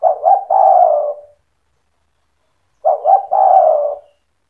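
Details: Spotted dove in active 'cetretan' style song meant to provoke other doves into singing: two coo phrases about three seconds apart, each two short rising notes then a longer, falling, slightly rough coo.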